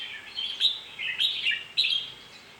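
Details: Red-whiskered bulbul singing three short, bright warbled phrases of chirpy whistled notes over a faint steady hiss.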